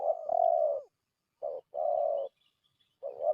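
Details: Lure call of a spotted dove used to draw in wild doves: hoarse, low cooing notes in separate bursts, a long coo then two shorter ones and another starting, quiet surroundings.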